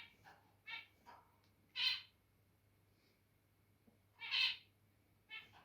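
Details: Pet zebra finches acting territorial indoors: short nasal harmonic honks scattered across the clip, two louder buzzy beeps standing out, with a steady low indoor hum beneath.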